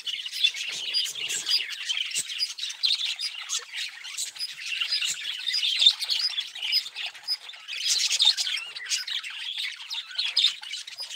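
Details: A flock of budgerigars chatters continuously with scratchy warbles, chirps and sharp squawks.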